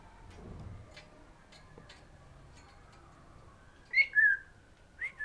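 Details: Female pet African grey parrot sunning outdoors on a fine day, whistling to birds flying by: after a quiet stretch, two short clear whistled notes that rise and then fall, followed by a brief third whistle.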